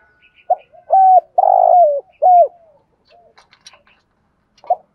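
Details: Spotted dove used as a lure to provoke wild doves into calling and fighting: a short note, then long, clear, low cooing phrases with a falling end, a pause with faint clicks, and a final brief coo.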